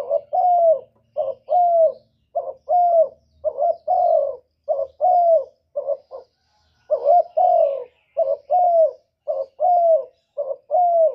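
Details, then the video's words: Spotted dove, a master singer of the kuk 1 type, used to lure other doves, repeats about a dozen cooing phrases steadily over eleven seconds. Each pairs a short note with a longer rounded coo, broken by one brief pause. "Burung derkuku master gacor kuk 1 suara mantap untuk pancingan"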